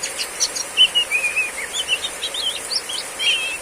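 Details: Female Oriental magpie-robin singing in the loud open riwik style during heavy rain, kept as a training recording: rapid varied whistled and chirping phrases, some slurred downward, over a steady high hiss of rain.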